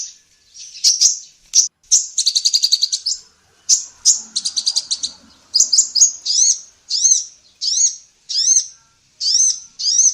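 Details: Sunbird female (kolibri ninja), a training recording for songbirds: rapid stuttering trills of high notes at first, then a regular series of upswept chirps about every half second.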